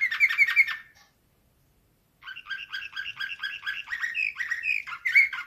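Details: Slavujar-style canary song from 2024: a short rattling trill, a second of silence, then steady rolling tours of dipping notes, ending in a bright burst.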